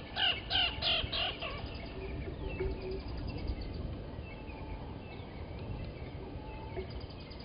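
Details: Blacksmith lapwing at Gowrie dam waterhole, Djuma Game Reserve, Sabi Sand, South Africa, 07:47 on 29 August 2020, as an adult grabs a chick from the nest and kills it. About five loud, sharp, harsh notes come in quick succession, then a quieter background with faint calls.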